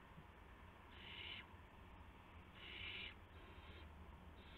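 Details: Night at an owl nest shortly after midnight, March 19 2016, during prey deliveries of mice and a gopher to owlets; two loud breathy hisses stand out, with softer, trailing rasps after them and a low background hum.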